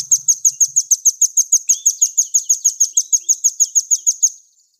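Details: Released nuthatch singing: a fast even series of high sharp piping notes, about four per second for over four seconds, with a fainter lower slurred note underneath midway, then silence.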